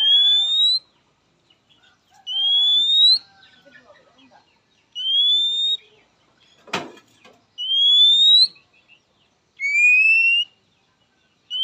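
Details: {'caption': 'Oriental magpie-robin, the characteristic call used to summon a rival, to which males and females respond quickly: five long, pure, slightly rising whistles, each nearly a second long, spaced about two seconds apart, with one sharp click midway.'}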